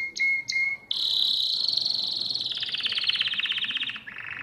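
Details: Domestic canary singing, recorded to teach young birds: two short sharp notes, then a long rapid rolling trill held high before dropping slightly, ending in a lower buzzy roll. Clear, loud and unaccompanied.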